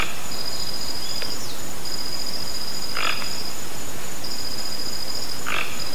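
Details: Toco toucan in a natural setting with two or three fairly faint, grating croaks spaced a couple of seconds apart, while insects buzz in a high, continuous tone.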